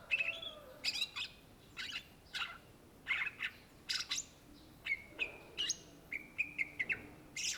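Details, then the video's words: Greater green leafbird, a bird native to Indonesia, singing vigorously: rapid bursts of sharp whistled notes, clicks and quick trills, roughly twice per second, ending in a fast run of repeated chirps, over light background hiss. "SUARA BURUNG CUCAK IJO GACOR , TELER"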